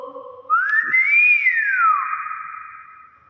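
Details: Nias hill myna giving a single loud, clear whistle that slides up, arches high and falls away over about a second and a half, trailing off into a softer held tone; faint voices before it.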